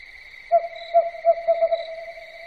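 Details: Owl calling at night: a series of five or six mellow hoots, the first ones spaced widely, then quickening and running together toward the end, over a steady high-pitched whine in the background.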